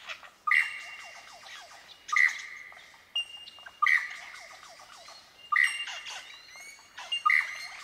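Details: Superb lyrebird, the bird of a thousand voices, repeating a mimicked phrase about every one and a half seconds: a loud whistled note followed by a rattling trail of clicks and short chips.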